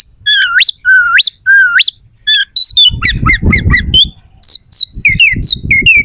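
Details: Aggressive oriental magpie-robin song used to provoke rivals before competitions: three rising, whip-like whistles at the start, then a jumble of harsh, chattering notes over a low rumbling noise, closing with scratchy repeated phrases.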